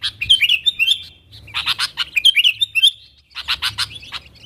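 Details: Lure calls of a sooty-headed bulbul summoning wild companions: a fluid warbled phrase, then loud grating chatter mixed with bubbling chirps, repeated after a short pause.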